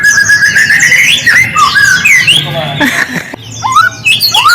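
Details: Lure song of the white-rumped shama, meant to make silent shamas answer: rising clear whistles, rapid twittering phrases and downward-sweeping notes over a faint low hum.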